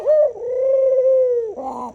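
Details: Dove cooing: one long, steady, low tone held for over a second, easing downward at the end, then a rougher, buzzier note follows.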